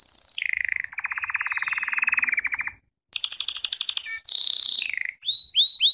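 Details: Belgian canary in training song, a falling whistle into a long fast rattle, a pause, a high doubled trill, then quick upward-sweeping chip notes.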